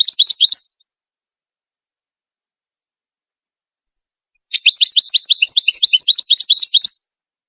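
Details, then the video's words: Teaching song of a Moroccan Wedani European goldfinch: a brief end of twittering, several seconds of silence, then a long fast phrase of repeated sharp rising notes and tinkling trills lasting about two and a half seconds. "مقطع لتغريد الحسون الويداني المغربي لتلقين الفراخ"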